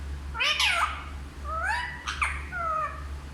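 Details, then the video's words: Parrot imitating Hindi speech with loud, drawn-out harmonic phrases that rise and fall, in three distinct utterances over a low steady hum. "सबसे अच्छा हिंदी बोलने वाला तोता ll Parrot Talking"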